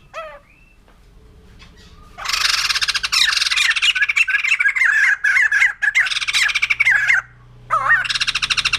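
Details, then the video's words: White-crested laughingthrush opening with a single thin rising note, then erupting into a long, loud, harsh laughing chatter of rapid rasping pulses and looping whistles, broken by brief pauses. "Poksay Jambul Putih || Burung Tertawa"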